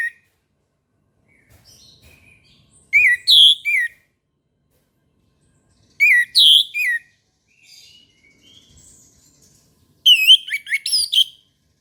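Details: Morning song of an orange-headed thrush: three phrases of rich, slurred whistles about three to four seconds apart, each made of two to five quick notes, the last phrase more rapid and varied, with softer twittering in the gaps.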